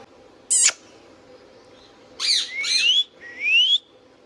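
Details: Pet Indian ringneck parakeet calling: a short harsh screech, then after a pause two drawn-out squawks and a rising whistled note, indoors with little background noise.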